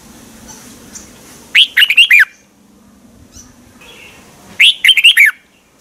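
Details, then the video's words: Red-whiskered bulbul, Thailand, song used to excite caged birds: a lively gurgling phrase of quick up-and-down whistled notes, then a faint soft note and a second matching phrase three seconds later over a low background hum. "เสียงนกกรงหัวจุก สำหรับต่อ หรือ เปิดให้นกคึก เสียงเพราะๆ เสียงดีมาก เต็ม, chao mao"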